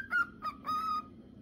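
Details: Male cockatiel whistling its song: two short clear notes followed by a longer level whistle with rich harmonics, in a quiet setting.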